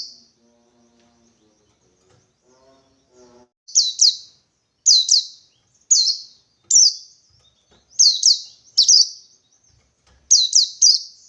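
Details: Wild white-eye seeking a rival, giving high descending whistled notes in quick clusters of two or three, repeated roughly every second after a faint low hum at the start.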